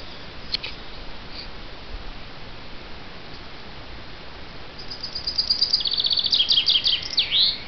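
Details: Chaffinch song: after a few faint notes, a fast, cascading series of high, repeated chirps gathers pace and falls away into a looping terminal flourish.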